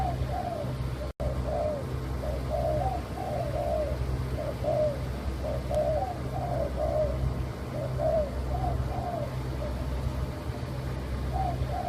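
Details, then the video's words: Spotted dove of a leopard-patterned colour variety, also called a white derkuku, cooing: low, soft, rolling coo phrases repeated steadily through the clip over a constant low hum. "Suara Kicau Burung Tekukur Warna LEOPARD/Derkuku Putih"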